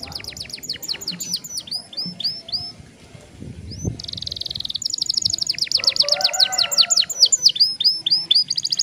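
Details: Long rolling song from a caged young canary, played to encourage other young canaries, crisp repeated whistled notes, a short buzzy roll, then a long fast trill, low murmur in the background.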